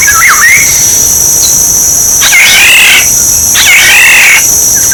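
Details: Black-naped oriole decoy sound: one fluty swooping whistle, then two harsh, nasal, buzzy bursts about a second apart, over an unbroken high-pitched hum.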